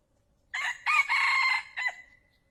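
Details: Male red junglefowl crowing, a decoy call for luring wild fowl into a trap: one loud crow in four parts, a short note, a long sustained middle section and a clipped final note, in a quiet background.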